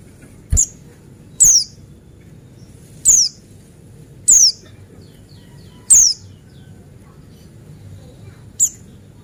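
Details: Yellow-breasted male Buxtoni white-eye, played to provoke white-eyes into song: six brief, shrill downward-slurred notes at irregular intervals of one to two and a half seconds, the last one fainter, over quiet background.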